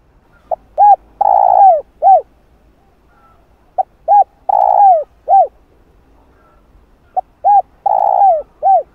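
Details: Spotted dove in full calling sequence meant to excite wild doves. Three repeated phrases, each a faint pip, a rounded coo, a drawn-out rough rolling coo and a final falling coo, spaced about three seconds apart.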